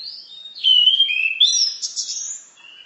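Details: Orange-headed thrush (anis merah) 'masteran' singing: a continuous flowing phrase of clear whistled slurs, dipping and then rising to higher thin notes before fading.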